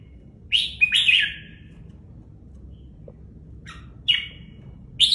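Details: Caged red-whiskered bulbul kept in a training cage, plumage held tight: two bright, slurred whistled phrases early on, a pause, then short sharp notes and another rich warbled phrase near the end.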